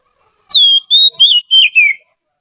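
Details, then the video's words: Trained Oriental magpie-robin, used as a song tutor for other birds, sings one phrase of five clear whistles: a high note sliding down, a steady level whistle, then wavering notes ending in a long downward slur. "Suara burung kacer terlatih || cocok untuk MASTERAN"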